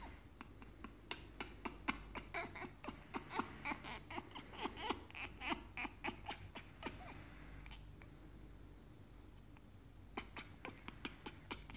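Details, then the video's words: African grey parrots in morning excitement chatter with rapid clicks, squawks and short whistles, several per second, then a brief lull before more sharp clicks; a low hum underneath. Grey parrot. "grey parrots morning excitement"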